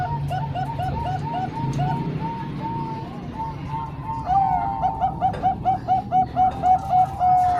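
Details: Zebra doves, three Bangkok-type and one local, combined for training young birds: evenly spaced mellow coos about four per second, a second bird joining halfway with louder, rhythmic cooing notes.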